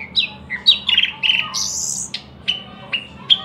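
A thrush nightingale sings loud, varied phrases: clear high whistles and slurred notes, a harsh buzzy stretch in the middle, then short repeated notes about every half second.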